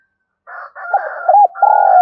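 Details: Spotted dove calling with gù and gáy coos for training decoy birds. Buzzy broad notes lead into looped coos and then a long sustained low coo, with a thin steady whistle running over them.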